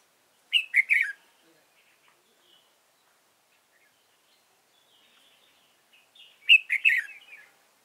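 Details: Red-whiskered bulbul decoy bird for trapping, Dong Nai, 15 November 2017; a three-note warbled whistle phrase repeated twice about six seconds apart, with quiet faint chirps between.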